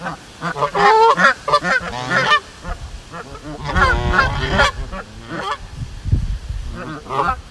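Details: Farm geese honking in loud, harsh bursts, some with nasal, wavering tones and quick stuttering runs, clustered in two busy bouts separated by quieter gaps with scattered single honks.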